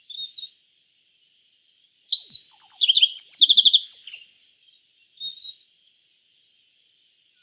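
A yellow bunting gives a two-second burst of high, bright chirps and trills, with brief single notes before and after over a steady thin high-pitched hum.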